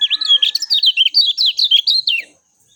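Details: Lemon-bellied white-eye (kecial kuning) in agile, clear, natural song used to make other birds respond quickly. A continuous, fast stream of high, slurred chirps that waver up and down and end abruptly after about two seconds.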